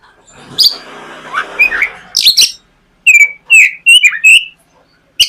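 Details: White-rumped shama morning lure song for a young bird: soft rustling noise at first, then loud clipped whistles and chips in quick succession, each note short and bright.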